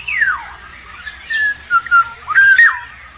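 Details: Black-naped oriole calling during the chick-rearing period: a falling whistled slur, then a few clear, level fluted notes and a short warbled phrase, over a low background hum.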